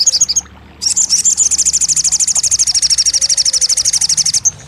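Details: Crested jay for stimulating a silent bird to sing. A brief high flourish, a short pause, then a sustained shrill trill of quickly repeated notes lasting over three seconds.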